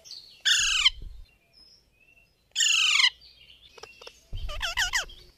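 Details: Parrot (tota) gives two loud, harsh, descending squawks about two seconds apart. A brief run of curving, voice-like talking notes follows over a low rumble.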